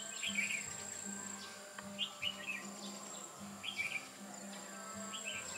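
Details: Decoy red-whiskered bulbul during trapping, 8 October 2017: three evenly spaced short warbled phrases, about one every second and a half, against a prominent low pulsing hum and a high steady whine.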